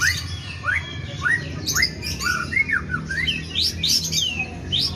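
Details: White-rumped shama with sooty-headed bulbul mimicry: a rapid run of quick rising whistles that climb higher toward the end, forming a lively chirping string over a low hum.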